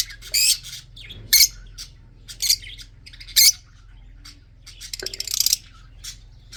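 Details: Red-eyed breeding budgerigars calling: grating, raspy squawks spaced about a second apart, ending in a longer rattling burst, with softer chirps between.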